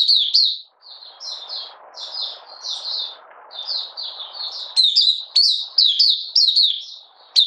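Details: Oriental white-eye from Malaysia in minor moult, out of form, 31 July 2023, giving 'buka sing' opening song: high sweet twittering phrases, softer at first, then louder and faster, over a low hiss.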